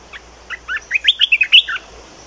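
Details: Red-whiskered bulbul in a cage singing its new phrase: soft opening notes swell into a rapid, musical chain of clear, chortling whistles, then stop abruptly.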